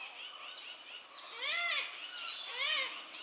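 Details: Malabar grey hornbill giving loud cackling calls in uneven bursts: rapid, laughing series of arched, harmonic-rich notes that rise and fall, growing louder toward the middle and end, with quieter faint notes between bursts.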